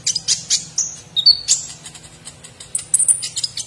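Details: Olive-backed sunbird singing a full platuk sampit filling, a training song for contest birds: dense, fast scratchy chatter of high chips with a brief pure whistle and a closing run of thin, very high notes.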